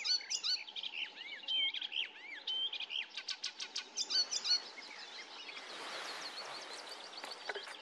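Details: An icterine warbler at Løten in 2024 sings a fast, varied jumble of high whistles, scratchy notes and repeated buzzy phrases; a soft hiss of wind follows near the end.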